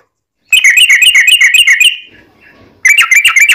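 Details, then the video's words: Sooty-headed bulbul giving a long rolling song meant to coax other birds into replying: a rapid string of bright, bubbly whistled notes, breaking off for a moment, then resuming the same quick chirping run. "trucukan gacor ROPEL PANJANG buat pancingan trucukan agar bunyi JADIKAN burung trucuk gacor NYAUT"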